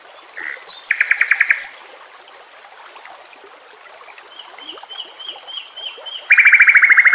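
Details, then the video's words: Murai batu (white-rumped shama) singing for a bird-training track with trickling water: a short chirp, then a rattling burst of repeated notes, quiet soft whistles, and a loud, fast, even rattle at the end. "Masteran murai batu TERAMPUH yang di pakai semua burung juara"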